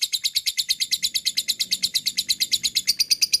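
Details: Lovebird ngekek: a fast, even, high-pitched rattling chatter of about twenty-five buzzy pulses in just over three seconds, steady throughout, recorded as a lure to make lovebirds respond and sing.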